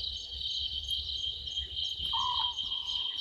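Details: At night by a waterhole on Djuma Game Reserve, South Africa, a small owlet in a tree gives one brief falling note with a fading tail, recorded 11/12/2023 at 00:38 against dense, shrill insect trilling.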